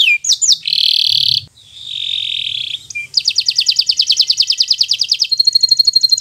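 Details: Bottle-green local canary singing as a teaching recording for young birds: a few sweeping notes, buzzy rasping passages, then a rapid rolling trill and a thin high repeated trill.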